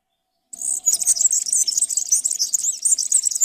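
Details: European serin delivering an unbroken, very high-pitched, fast scratchy jingle of trilled notes for three seconds, with a faint low tonal hum beneath.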